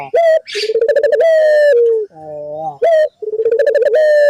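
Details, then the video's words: Repeated ringneck dove coos used to draw replies from other doves: a quick rising note, a pulsing trill swelling into a long flat tone that drops slightly, then a low nasal buzzy note, with a brief hiss early on. "pancingan burung puter gacor,bikin puter lain ikut bunyi"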